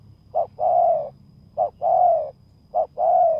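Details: Spotted dove used as a decoy to lure a rival at a dirt clearing, giving three deep cooing phrases, each a short clipped note followed by a longer, smooth, slightly falling coo, repeated about every 1.2 seconds over a quiet low hum.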